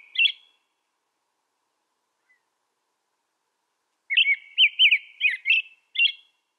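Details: A lone whistled note from an American robin, a long silence, then a rapid string of about six liquid, looping phrases ending in one final note.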